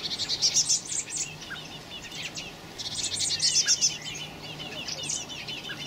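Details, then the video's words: Young blackbirds filmed 26 May 2018 calling in two dense bursts of piercing high squeaks and chirps, fast and insistent, separated by a quieter pause; a low steady hum runs throughout. "Blackbird Young"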